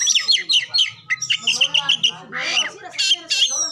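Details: Oriental magpie-robin singing as a training lure for other songbirds; tumbling twittered notes, a short series of quick repeated chirps, then a grating downslurred rasp and high whistled ending.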